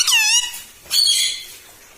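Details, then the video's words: Pet talking parrot: a short falling, richly harmonic squawk, then a brief pause and a second flat, buzzy, breathy call that fades out. "TALKING PARROT - MITTHU MITTHU - MUMMY BOLNE WALA TOTA - मे तोता में तोता है मिट्ठू मिट्ठू"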